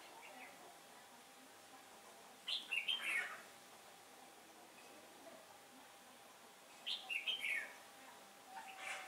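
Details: Decoy red-whiskered bulbul singing against wild birds to lure them into a trap on 15 October 2017, wind shifting; two clear warbled phrases roughly four seconds apart.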